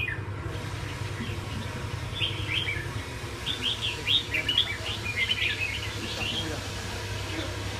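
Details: Red-whiskered bulbul singing: a run of quick, chirpy, warbled notes, bright and tumbling, repeated in short phrases over a steady low mechanical hum.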